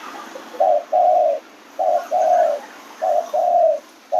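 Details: Spotted dove cooing: soft, low hollow coos in short paired phrases, a brief note followed by a longer drawn-out coo, repeated about every 1.2 seconds against a quiet background.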